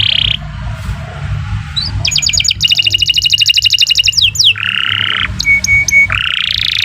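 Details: Kenari singing gacor panjang as a master recording for young birds: a quick rising note, a dense rapid rattle of clicks lasting about two seconds, then broad buzzy phrases and short steady whistles over faint background hum.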